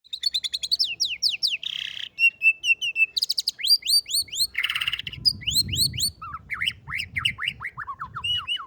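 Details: White-rumped shama, a fighter-type bird, singing a rich varied song with copied canary phrases: fast whistled trills, rising and falling sweeps, harsh buzzy bursts and repeated chirps in quick succession.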